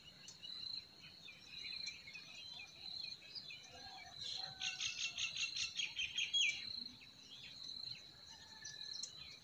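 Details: Spring forest birdsong: scattered soft high notes, then a fast, evenly pulsed trill of bright chirps lasting about two seconds midway, ending in a sharp rising note.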